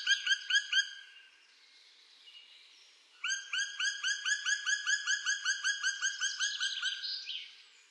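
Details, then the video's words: Black woodpecker giving rapid series of clear, ringing notes, each slightly rising then falling, roughly two to three per second; a short burst, a pause, then a longer run of about twenty notes. "głos dzięcioła czarnego"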